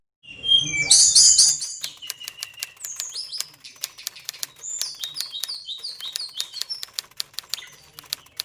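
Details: Captive Oriental magpie-robin on a bird farm in high breeding condition, singing a varied run of whistled and slurred notes after a loud burst of noise at the start, with rapid sharp clicking notes repeated about three times a second.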